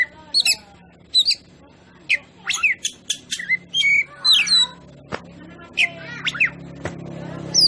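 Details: Oriental magpie-robin (kacer) lure song for provoking other birds: scattered sharp whistles, downslurred notes and harsh clicks over a steady low hum.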